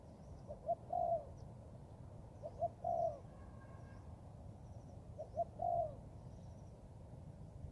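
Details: Young Thai-line spotted dove in training in the forest, giving three short cooing phrases roughly every two and a half seconds, each a brief note followed by a longer low coo, over a steady low rumbling background.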